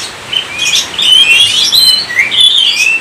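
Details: Short burst of Oriental magpie-robin gacor song: sliding, ringing whistles that rise and fall, delivered smoothly with almost no breaks.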